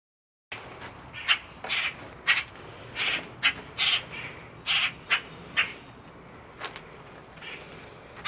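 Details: Common Grackle hatchlings in an outdoor aviary enclosure at a wildlife rehabilitation centre in Virginia, in late May, give harsh, raspy squawks in short bursts, about a dozen in seven seconds at an uneven pace, over a faint steady hiss.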